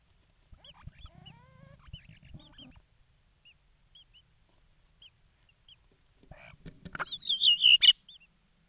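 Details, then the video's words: Nest box webcam in Estonia, 11 May 2019 at 7:42: common starlings give faint soft chirps and clicks, then a loud closing flurry of squeaky, warbling chatter. "starlings, they talk"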